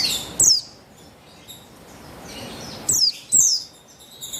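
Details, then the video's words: A female buxtoni Javan white-eye, 3/8/21, calling to draw males into song: shrill, descending twittered notes in two clusters near the start and after three seconds, separated by a quieter hiss. "Buxtoni Betina Memancing Bunyi Burung Pleci Bahan Agar Bustomi Gacor Ngalas"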